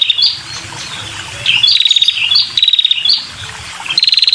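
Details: Red-headed prinia female calling to lure males, in bursts of fast, high, buzzy-ticking trills with short upslurred chirps between them, separated by brief pauses over soft background rustle.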